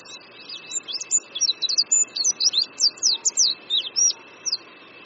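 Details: Crisp, high, hook-shaped chirps from an Oriental white-eye at Qingdao University, Shandong, China, given about three or four a second in a bright, excited series that fades toward the end, with a faint constant whine behind.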